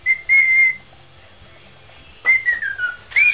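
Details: Pet parrot whistling in a singing mood, giving one sustained note, then after a pause a whistle that slides downward and a sharp rising end.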